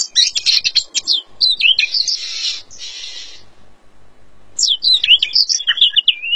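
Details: Featherless Oriental magpie-robin singing vigorously (gacor): quick varied high whistles and sharp chirps, a harsh buzzy grating burst near the middle, a short quiet pause, then another run of bright whistled, twittering phrases.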